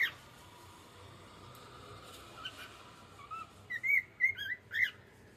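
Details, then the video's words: Pet cockatiel enjoying the evening, giving a few short, rising whistled chirps in a quick run near the end after a quiet start, over a soft background hum. "Cute Cockatiel singing and sound"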